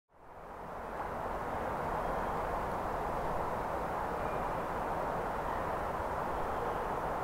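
Steady broadband rushing noise, like running water or distant traffic, continues throughout with no animal calls.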